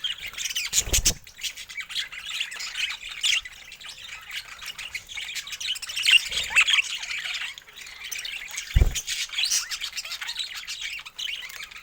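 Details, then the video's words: Budgerigars warble and chirp continuously in high, scratchy tones, with a few dull thumps scattered through. "Stunning Budgie Colors & Relaxing Natural Sounds"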